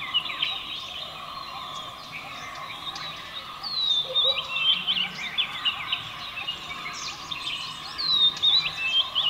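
Oriental magpie-robin singing a varied run of clear, sweet whistles and quick chirps, some rising, over a steady insect drone.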